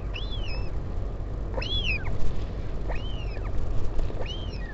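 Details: Northern royal albatross during a parent's visit to the chick at Taiaroa Head near Dunedin, New Zealand, 16 July 2019, on a live camera. Four rising-then-falling whistled whines, about one per second, over rumbling wind.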